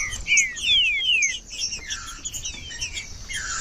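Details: Green-winged saltator song played to warm up a 'cold' bird that is not singing: clear, downward-sliding whistled notes in quick series, several loud slurs early, then softer repeated whistles over a faint background hiss.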